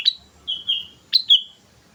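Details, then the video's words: Sooty-headed bulbul in energetic song used as a lure: two short phrases, each a sharp upswept note followed by a sustained clear whistle, crisp against a quiet background. "pancingan suara burung kutilang gacor"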